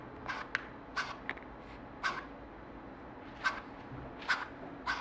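Scops owls giving short, harsh, hissing rasps, about seven bursts in five seconds at an uneven pace, over a low steady background hum.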